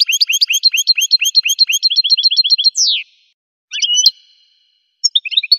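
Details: Fast, jangling run of high goldfinch chirps that speeds up and ends in a long falling slur, followed by a couple of short, sharp twittered phrases after pauses.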